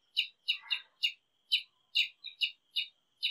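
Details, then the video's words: A Brazilian tanager (Ramphocelus bresilius) sings a run of short, bright chirps, roughly two per second, over a steady high thin whine in the background. "O TIÊ-SANGUE CANTANDO"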